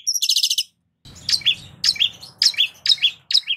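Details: Long-tailed shrike lure song: a short buzzy rattle, a brief silence, then two-part chirps repeated about twice a second over a faint low rumble.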